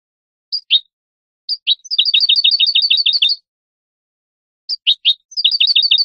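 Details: Tutor recording of European goldfinch song meant for young birds to learn: paired sharp chirps, then a fast tinkling run of rhythmic twitters, a pause, and another chirping, twittering burst, all high-pitched and clean.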